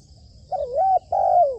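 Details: Captive spotted dove being trained as a decoy on a roof, uttering one wavering double hoot that slides up, followed by a long smooth coo that trails downward.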